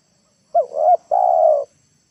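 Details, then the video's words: Spotted dove decoy calling in the late afternoon so wild birds come down to the ground; a single soft phrase of a quick rising note and a brief coo, then one long steady hollow coo. "TEKUKUR PIKAT NEKAN,AGAR BURUNG LIAR TURUN TANAH"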